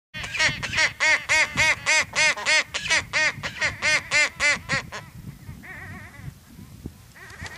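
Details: Antarctic skua long call: about fifteen loud, harsh, nasal notes, roughly three per second, then a few fainter calls trailing off.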